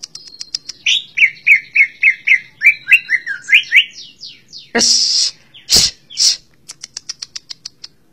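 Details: Cucak ijo, the greater green leafbird, opens with thin high ticks, then repeats slurred whistled notes around thirteen times in quick succession. Noisy rasping bursts and a closing run of brief, evenly spaced high notes follow.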